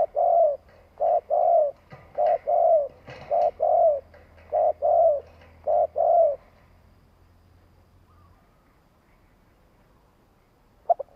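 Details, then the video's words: Long coo series from a decoy spotted dove: about ten paired low coos, short then drawn-out, in a steady rhythm, then the cooing stops and quiet follows, with a faint low hum and one click near the end. "Chim cu gáy tiếng gù dài kích bổi nge là gáy."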